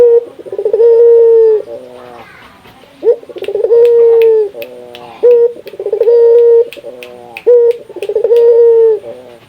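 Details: Indonesian local Barbary dove calling to prompt other doves to call. Repeated phrases of a bubbling rolled trill run into a long even coo, with brief clicks between phrases.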